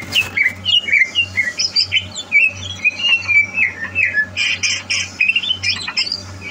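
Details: Captive greater green leafbird readied for a song contest, 30 November 2022, delivering a rapid stream of sweet whistles and sharp chirps, with higher scratchy notes toward the end, against a constant low hum.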